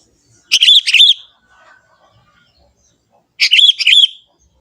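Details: Young wild forest Sooty-headed bulbul singing its natural song: two short bubbly, chattering phrases of quick warbled notes, about three seconds apart, in a quiet setting.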